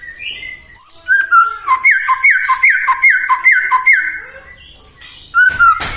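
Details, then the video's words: White-rumped shama singing to provoke other shamas: an opening whistle, then a steady run of about eight repeated down-slurred whistled notes, ending with a sharp sliding note. "murai batu gacor AMPUH buat PANCINGAN murai batu agar bunyi"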